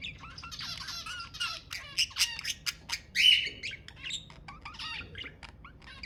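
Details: Budgerigar vocalising to stimulate mating: dense buzzy warbling with clicks and sharp squeaky notes in quick bursts, and a loud harsh squawk halfway through.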